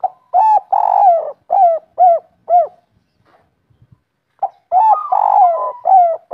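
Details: Local spotted dove in full 'kuk 3' song: a series of deep, repeated coos with one prolonged note, a pause of around one and a half seconds with faint clicks, then another energetic coo sequence.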